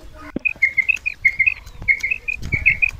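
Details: Common quail female call from Punjab, Pakistan, used to draw males for hunting: rapid series of short bright double notes, closely spaced, amid clicks and rustling background noise.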